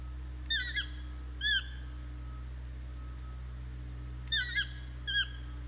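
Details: Toucan in Ojochal, Costa Rica, giving four bursts of harsh, yelping two-part notes in two pairs about three seconds apart, over a steady low hum.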